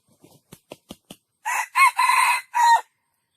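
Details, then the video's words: Several soft tapping clicks lead into a full junglefowl crow, a strident four-syllable phrase with the long third note held. The phrase ends abruptly. "jungle fowl best crowing"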